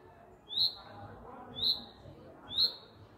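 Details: A bird nesting in a courtyard in spring, calling loudly for a mate: sharp high chirps sliding downward, about one per second, three in a row, over faint background murmur.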